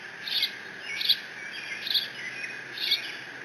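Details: Bald eagle nestling at Decorah, 30 June, squeeing over a fish its father delivered while no siblings are present: four sharp high squeaky notes spaced under a second apart, over continuous hiss.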